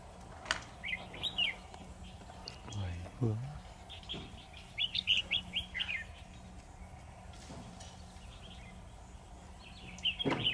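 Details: Caged red-whiskered bulbul used as a decoy in a trap, giving bursts of quick warbled whistled notes in several phrases, with thumps and handling noises and a steady low hum.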